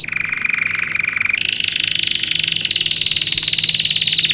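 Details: A Belgian canary sings song meant for training young birds: fast, even trills, a steady high roll jumping to a brighter, higher tour partway through, over a faint low hum.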